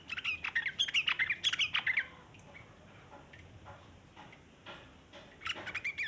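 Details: Sooty-headed bulbul giving a long chattering song, kept as a lure for other bulbuls: a dense burst of rapid harsh chirps and squawks for two seconds, a pause, then another chattering burst at the end.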